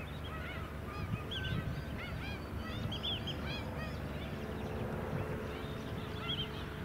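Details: A White-headed stilt flock on Scarborough mudflats, Queensland, in July. Dense bursts of brief, arched, yelping calls from several birds, with some longer flat notes, over a low background rumble.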